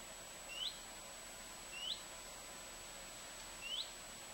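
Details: Garden bush in southern Sweden, 23 August 2014, where a common redstart repeats a thin, upslurred whistle three times at intervals of about 1.5 seconds, with only faint hiss behind.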